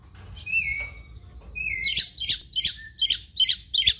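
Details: Black-winged myna (jalak putih) from Indonesia in full 'gacor' song with mimicked phrases: two level whistles, then six harsh buzzy bursts repeated about every half second.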